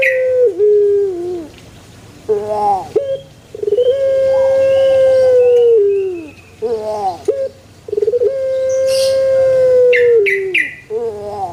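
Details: Pelung chicken giving successive crows, each a long, level, resonant tone lasting about two seconds and then falling away, linked by short wavering and stuttering notes.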